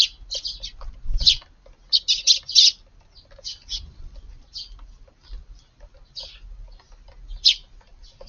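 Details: Group of sparrows, mostly this year's fledglings with one or two parents, feeding in a garden on a June evening; clusters of harsh chirps in quick bursts, then scattered single chirps.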